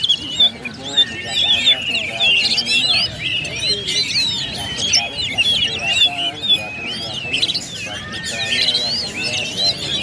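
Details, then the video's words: Several oriental magpie-robins in a song contest area sing at once in rich, rapid phrases of high, sweet whistles, slurred notes and scratchy chatter, with faint voices in the background. "DUEL KACER ONE BY ONE‼️SUASANA KACER AREA LOMBA IKUT GACOR SEMUA"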